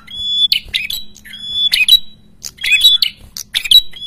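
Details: Loud, busy red-headed prenjak song for luring other prenjak closer. Level, high whistled tones are cut by clusters of rasping, scratchy notes in irregular bursts about once a second, with a faint low hum underneath.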